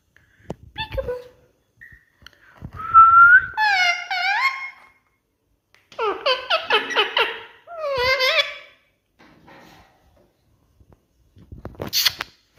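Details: Pet Indian ringneck parrot talking to its reflection in a mirror indoors: a clear rising whistle, then harmonic, speech-like phrases with wavering pitch in several bursts separated by pauses.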